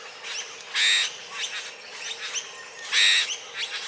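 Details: During courtship behaviour, a Satin bowerbird gives two harsh, buzzy rasping bursts about two seconds apart, with softer chirps and clicks between them.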